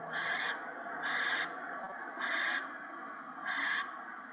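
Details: Owls at a nest, evening of 28 March 2017, an adult tearing up a gopher for owlets and one owlet swallowing a whole gopher; four hoarse hissing screeches, fairly evenly spaced, over a continuous hum.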